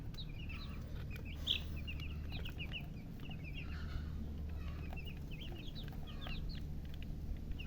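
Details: Baby chickens, colour chicks thirsty for water, chirp constantly: quick, thin, arched peeps overlapping from several birds, over a low background hum.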